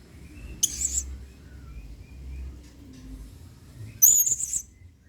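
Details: Adult male blue-crowned hanging parrot, singing vigorously in the 'main singa' style used as a model for training other birds: two brief, very high, thin squeaky notes about three seconds apart over a faint low hum.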